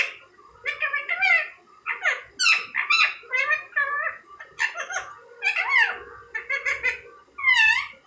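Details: Indian ringneck parrot mimicking human speech, producing a rapid, chattering run of short syllables of varying pitch, some sliding up and others down, with almost no pause across the whole passage.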